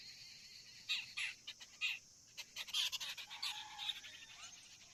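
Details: Common myna at its tree-hollow nest carrying a big green insect for its young; a run of loud, harsh croaking and grating notes in quick uneven bursts against a constant high-pitched insect buzz.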